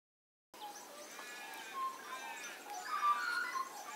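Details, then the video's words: Magpies singing in full voice from a neighbouring back yard on a summer morning, with many other birds around; rich, warbling, fluty notes with stacked harmonics rise and fall in overlapping phrases, growing louder toward the end. "A chorus of magpies on a summer morning"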